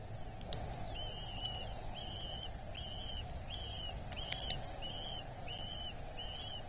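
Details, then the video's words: Eurasian hobby chick at a nest in Dorset, being fed, 8 July 2024: thin, whistled, slightly wavering notes repeated about every three quarters of a second, around eight in a row, over a steady low hum with a few clicks. "Dorset Nest (Falco subbuteo) Kobuz - Karmienie maluszka"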